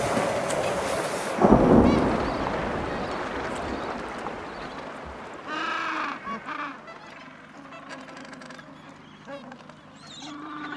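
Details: Many Gentoo penguins in an Antarctic colony: harsh, honking calls in quick bursts from parents and from hungry chicks wanting to be fed, after a loud rush of wind at the start.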